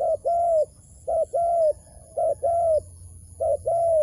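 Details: Wild dove cooing during trapping: paired notes, a short coo followed by a longer level coo, repeated four times in about four seconds, loud and clear over a faint low hum.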